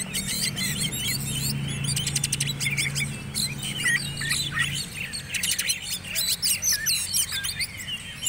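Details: Competition Oriental magpie-robin entered in the black-and-white class, pouring out fast trilled bursts, clipped chirps and looping whistled notes in nearly continuous song, while people converse softly and a low hum runs beneath.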